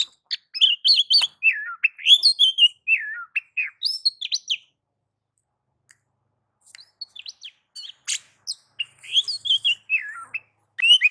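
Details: Kacer, the Oriental magpie-robin, giving nagan and ngobra style song meant to excite rival males into singing: varied whistles, slurred downward notes and quick chips, a lively run followed by a quiet pause and renewed phrases.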